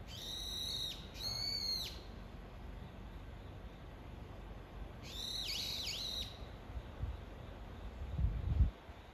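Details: Brown-eared bulbul calling for its mate, two bursts of shrill, harsh notes with sharp downward slurs at the start, then a longer squealing series of dipping notes after a pause; steady low background hum.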